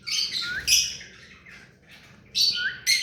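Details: Hand-tamed rose-ringed parakeet giving harsh, high screeching calls: a short burst, a louder screech just before one second, and two more sharp screeches near the end, with brief quiet gaps.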